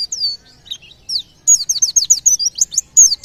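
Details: Song of a white-eye, believed to stir nearby birds to sing: a few high slurred whistles, then a fast sequence of loud, sharp, downward-sweeping chirps repeated several times a second.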